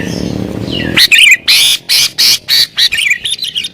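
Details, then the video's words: Sooty-headed bulbul in excited, agitated song for luring wild birds: a low murmur gives way to a rapid series of loud, harsh chirping notes, about eight bursts in under three seconds. "Burung Kutilang Gacor Isian Cocok Buat Pikat Burung Kutilang Liar"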